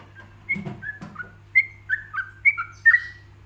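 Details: Yellow-vented bulbul tutor song, a relaxed pausing 'ropelan' for other bulbuls to imitate: scattered whistled notes, softer than the rest, with a brief rustle early on, then a cluster of bright slurred phrases over a steady low hum.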